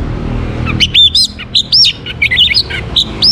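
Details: Anis merah, the orange-headed thrush, in rapid varied song meant to encourage other birds to sing, with tumbling chirps, upward sweeps and slurred whistles crowded closely together.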